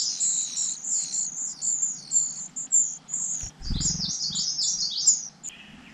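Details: Young birds in the nest begging while they wait for parents to return with food: a dense, shrill chorus of overlapping high chirps, with a brief low thump midway.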